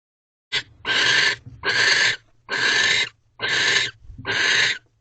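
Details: Barn owls in a corral nest box at 2:15 am on 3 March 2023, thirteenth night of a mating ritual; five harsh, broadband hissing screeches, each about half a second to a second long, repeated roughly every second with short gaps.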